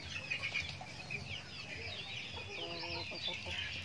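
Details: Chickens feeding in a backyard farm, many overlapping high chirps and rising whistled peeps, plus a brief lower clucking sound near the end over a low hum.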